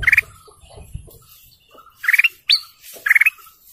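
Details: Golden canary giving quick buzzy trills and one steep rising whistle, repeated a few times, over low fluttering or rustling noise.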